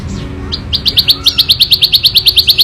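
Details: Ciblek sawah prinia in the wild starting a loud, clear ngebren rattle: a faint descending note, then sharp buzzy chips building into a rapid, steady series at about three per second.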